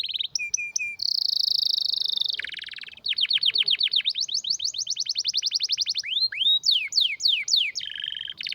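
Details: Canary giving a rare, powerful song of varied tours: short whistles, a high buzzing roll, a long fast trill of repeated notes, wide swooping sweeps and a final rattle.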